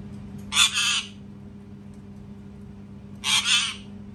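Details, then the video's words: Loud parrot screaming: a harsh, raspy double scream, then a pause of about two seconds before another similar grating double scream, over a faint constant hum. "PARROT SCREAMING TOO LOUD | PARROT SCREAMING SOUNDS"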